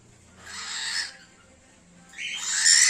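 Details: Cockatiel; angry hiss; anger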